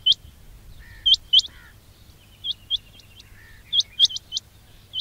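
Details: Quail, or batair, calling for trapping: high upswept chirps in loose bursts, with softer lower warbling notes and faint background noise in between.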